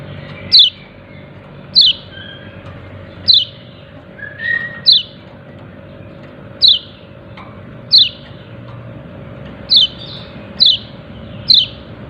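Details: Yellow-breasted white-eye calling "ciak ciak": sharp, high, downward-slurred chips repeated about every one to one and a half seconds, around nine notes against a steady low hum.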